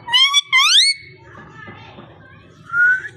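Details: Parrot voicing two smooth rising whistled phrases, then low mumbled speech-like sounds and a final gently rising whistle.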